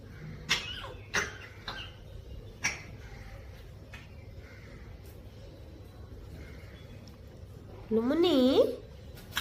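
An African grey parrot mimics coughing: four short, rough coughs in the first three seconds, then a wavering, voice-like warble near the end over quiet room noise.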